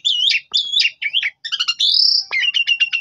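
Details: Black-winged starling song used as a lure to provoke a reply from another bird: varied loud whistled phrases, slurred notes and rapid chattering trills, mostly high-pitched with short pauses between bursts.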